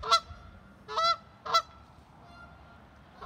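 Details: A Canada goose (Branta canadensis) gives three loud, nasal honks about half a second apart as a contact call to another goose. Each honk is harsh and slightly rising, over a quiet background.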